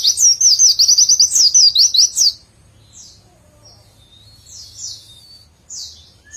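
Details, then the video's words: White-eye (pleci) singing in the nembak style, a tight 'witwitwit' run flowing into rapid ngecer trilling: a loud, fast series of high, sharply modulated chirps for about two seconds, then softer scattered high notes. "burung pleci nembak rapet witwitwit sambung ngecer sadis"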